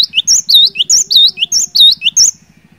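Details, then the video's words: Cinereous tit singing vigorously, played to prompt quiet birds to sing: about five quick three-part phrases of sharp high whistles and swooping slurred notes within two seconds, then stopping, over a faint low rhythmic hum. "Burung Glatik Batu Gacor, Cocok Buat Mancing Glatik Malas BUNYI"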